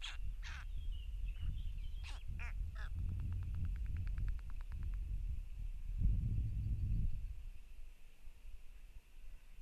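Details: White storks (Ciconia ciconia) at the nest in Tukums district, Latvia, on 31 May while feeding growing chicks, give a few harsh raspy notes, then a rapid dry rattling burst, over steady low wind rumble.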